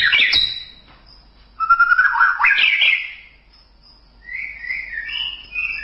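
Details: Singing white-rumped shama with a loud opening flourish, then a sustained fluty whistle breaking into quick warbling, a pause, and softer rippling whistled notes at the end.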